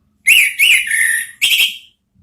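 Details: Two rising and falling whistles from an orange-headed thrush, then a drawn-out level whistle and a buzzier burst. The song is offered as a lure to draw out the 'ngeplong' sound in 'ngeriwik' style.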